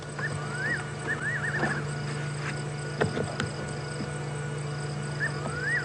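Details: At dusk on 29 April 2016, just after sunset, nightjars call close by at Djuma Game Reserve from a stopped safari vehicle: clear whistled phrases that slide up and down with a wavering trill, repeated every few seconds over low engine hum, amid crickets.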